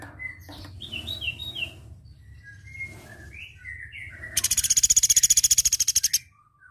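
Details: Flowerpecker singing on a training recording: sharp, thin twittering notes and short downslurred whistles, then a long, even, very high pulsed trill that stops abruptly.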